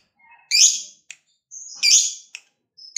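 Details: Lovebird, fighter type, used to prompt other lovebirds to sing; two loud, harsh, buzzy squawks about a second apart, with thin high whistles and short clicks between them.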